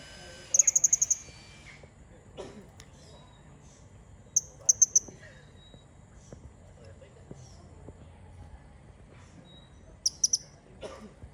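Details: Blue-crowned hanging parrot, apparently a male, from Borneo: three short bursts of very high, thin, rapidly pulsed pips, each a quick ticking series lasting under a second, spaced several seconds apart, with faint scattered clicks and low background hiss between.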